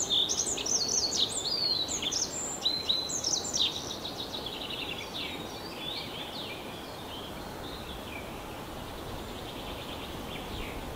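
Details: Tree pipit (Anthus trivialis) in a forest park sings bright, high trills and sweeping phrases, loud for about four seconds, then softer repeated notes fading out over steady background hiss.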